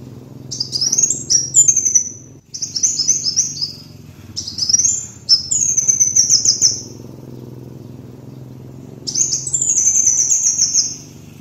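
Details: Kolibri wulung sunbird on a lure recording delivers four separate bursts of very high, sizzling twitter, each a quick run of chips and trills, with gaps of silence and a low hum throughout.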